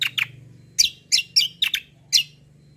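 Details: Kecial kombo white-eye, a competition fighter bird suited to tutoring. Loud, sharp, high chirps given singly and in pairs, roughly every half second, over a low steady hum.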